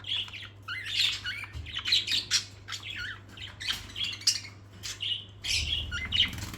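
Parakeets chatter in a busy stream of harsh squawks, chirps and warbled notes, with a low indoor hum.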